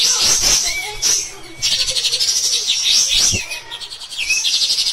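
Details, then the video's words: A cotton pygmy goose, kept as a lively master singer for tutoring other songbirds, gives harsh, rapid, high-pitched chattering with bursts of buzzy notes and quick rising whistles, nearly without pause. "KAPAS TEMBAK EDAN GACOR | MBESET NEMBAK NGOTOT Kasar"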